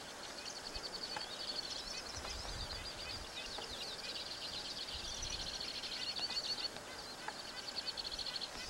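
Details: A Two-barred Crossbill (White-winged crossbill, Loxia leucoptera) sings a steady, high run of chattering trills and dry buzzy rattles, over a faint background hiss and low rumble.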